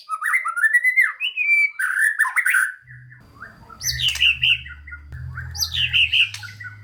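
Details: White-rumped shama song used to stimulate lazy, unmotivated shamas to sing: slurred, warbling whistled phrases at mid pitch, then harsh bursts separated by short pauses, over a low electrical hum.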